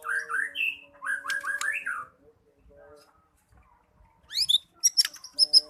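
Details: White-rumped shama in full 'gacor' form, singing steadily: rich whistled phrases of quick slurred notes, with a pause midway, then bright, sharp, high rising notes and clicks near the end.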